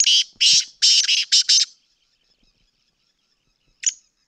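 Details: Black francolin, known locally as kala teetar, from Sindh: a quick burst of about six harsh, grating notes within two seconds, then silence, then one more rasping note near the end.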